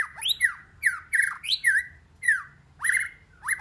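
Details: White-rumped shama in a quick, energetic burst of harsh, scratchy slurred notes, repeated roughly every half second with rising and falling inflections.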